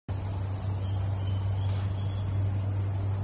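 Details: An emu at Hartley's Crocodile Adventures gives deep, resonant drumming that hums steadily for three seconds, with a high, continuous buzz of crickets over the top.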